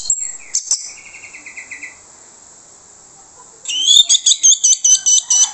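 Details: Orange-headed thrush singing as a lure to draw replies from other birds. A soft whistled trill comes first, then a quiet pause, then a loud series of about nine sharp, high, ringing notes delivered quickly.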